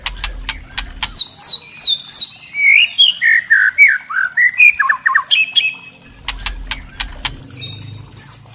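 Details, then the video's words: White-rumped shama crackling call ("kretekan") used to provoke other shamas: rich, varied whistled phrases mixed with sharp, dry crackling clicks bursting out several times a second. "kretekan murai trotol"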